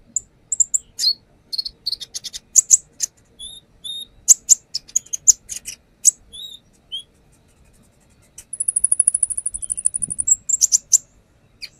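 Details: Brown-throated sunbird lure song displaying its repertoire: varied sharp chips and short whistles for several seconds, a pause, then a long, very high, rapid trill of about two seconds, ending in chirps.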